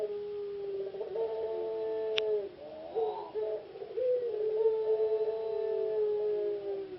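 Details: Semi-finalist puter pelung ringneck dove from an Indonesian breeder's collection, recorded in its cage. It gives continuous low, humming coos with wavering breaks between longer held tones, and a single click is heard partway through.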